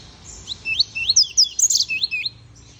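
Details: Captive male double-collared seedeater (coleiro) singing a pure tuí-tuí style song: a quick series of sharp, high, rising slurred whistles, about eight notes over under two seconds, faint low room hum beneath.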